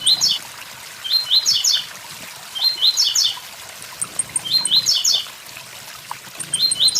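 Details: A blue-black grassquit sings five short, high-pitched, buzzy phrases in about seven seconds, each a tight cluster of stepped notes, with waterfall noise and faint ticking in the background.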